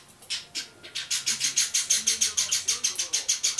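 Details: Two captive Java sparrow chicks aged 30 and 32 days, January 2012; a steady train of raspy, noisy chirps, about three per second, growing louder and very regular.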